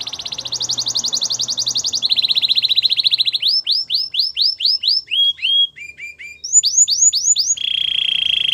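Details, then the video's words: Belgian canary training song for warming up a canary: a rapid high buzzy trill, a lower fast trill, then a run of arched upslurred whistles, short dropping notes, a rising series and a steady low trill to finish. "Warm up your belgian canary!! The best canary training"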